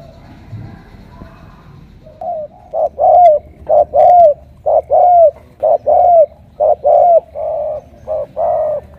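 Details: Spotted dove, a kept bird, gives a run of low, hollow coos, about ten notes over seven seconds with short gaps, over a faint background hum.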